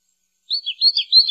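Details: After half a second of silence, an American goldfinch gives a short burst of five or six high, bright chirps that rise and fall in a fast, uneven rhythm.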